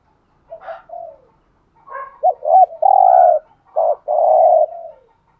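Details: Spotted dove decoy cooing to draw in other doves. Soft scattered opening notes, then a clear phrase of two short bouncing notes and a long even coo, followed by another short note and a sustained coo that fades away.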